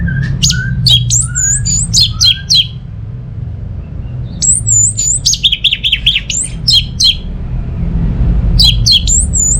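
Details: Orange-headed thrush from Singaraja, North Bali, used as a lure for birds not singing: fast clusters of sharp high notes and curling whistles, about three to four a second, in bursts with gaps, over low rumbling hum.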